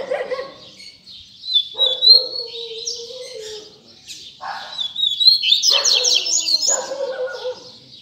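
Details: Tui tui zel zel style song of a double-collared seedeater, with high, rapid twittering and sliding whistles in separate bursts. A lower, harsher sound runs beneath some phrases.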